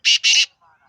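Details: Black francolin giving two loud, harsh, scratchy notes in quick succession, each a fraction of a second long, followed by faint low murmuring.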